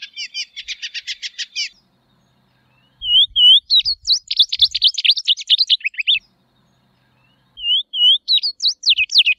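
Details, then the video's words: Tropeiro seedeater singing: a rapid buzzy trill, a pause, then a lively high phrase of rising whistled slurs and quick chirps, repeated after another short silence; faint low knocks in the background. "Canto da Patativa Tropeira Sporophila Beltoni"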